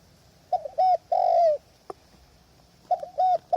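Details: Spotted dove used as a decoy at a trapping hide on a windy day, with wild doves far off: two short bursts of cooing, each a quick double note then a long drawn-out coo that falls slightly, with a faint steady high hiss behind.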